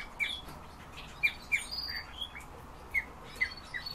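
European bee-eaters give short, rolling 'prruip' notes, a dozen or so in four seconds from several birds, with light background hiss.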